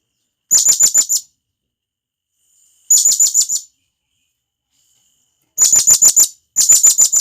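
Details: Wild blue-crowned hanging parrot calling for companions, natural forest recording. Four bursts of about five fast, piercing high chirps come in quick succession, the last two close together.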